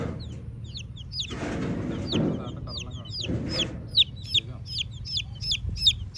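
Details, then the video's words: Several red chicken chicks peep steadily, each note a sharp high downward slur, overlapping in quick runs, while low rumbling handling noise and faint voices swell in the first half. "Red Chicken Chicks Chirping Sounds"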